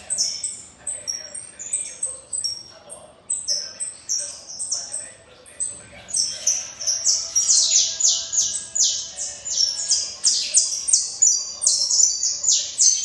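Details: Saffron finch singing at length: sparse, high, downslurred chirps at first, then after a short pause a dense, rapid run of sharp notes, each sliding from very high to high pitch.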